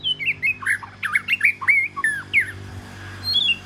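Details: A southern Oriental magpie-robin, the first one kept at home, delivers loud, fluid warbled song, a quick string of varied whistled slurs and twisting notes that pause briefly before one last high phrase.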